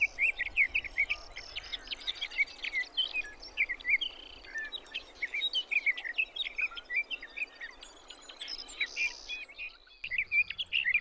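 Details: Continuous rambling song of a sage thrasher, Arapaho National Wildlife Refuge, Colorado, June: quick chattering and warbled notes run on for about ten seconds, some high, over a steady hissing background that cuts out near the end.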